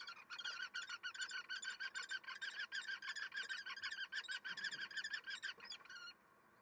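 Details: Common kestrel at a nest during morning mating in May, where the pair meets daily, giving a fast, shrill, harsh series of notes, about three per second, for six seconds, then stopping. Nothing else is heard.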